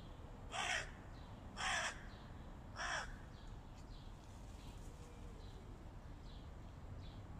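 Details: Three evenly spaced, rough caws about a second apart from hooded crows battling a stray cat, followed by faint thin chirps in the distance.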